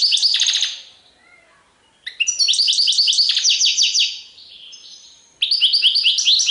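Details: European goldfinch song of the Serfati Tiwawati style. Lively bursts of rapid metallic twittering are separated by brief quieter gaps, each phrase packed with quick up-and-down notes.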